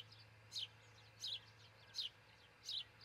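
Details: Osprey at a nest near Charlo, Montana, on a nest camera around 4:50 am on June 22, 2018, where a pair is nest-building: four high, downslurred chirps, about one every 0.7 seconds, over a steady low hum.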